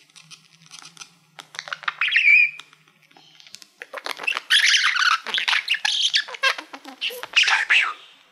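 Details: Male budgie kept as a pet, singing to a mirror-like silver plaque: a squeaky whistled twitter, then continuous chattering warble of clicks, squeaks and buzzy notes in repeated bursts, with a faint low hum beneath.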